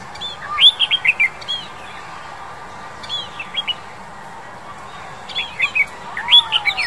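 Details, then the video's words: A male Oriental Magpie-robin in February 2021 gives short bursts of sweet, varied whistled notes in three phrases over several seconds, with a faint background hum. "鵲鴝 (雄) Oriental Magpie-robin (male)"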